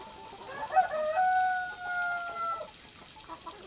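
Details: One long Brahma rooster crow, rough at the start and then a clear, steady, slightly falling tone held for over a second, with faint clucking of the flock at drinking time.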